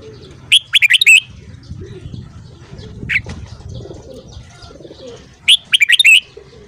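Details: Red-whiskered bulbul, morning 'căng lửa' song. A brisk run of lively whistled notes opens and another closes, with one isolated short call in between. Quiet rustling background.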